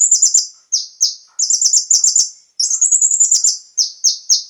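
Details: Brown-throated sunbird (konin) song meant to get captive birds singing: high, rapid chattering runs broken by separate downward-slurred, slightly buzzy notes, delivered at a lively pace.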